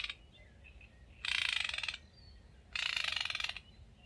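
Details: Great reed warbler from Córdoba, singing two harsh grating ratchet-like phrases, each under a second long and about one and a half seconds apart, with faint softer notes between them.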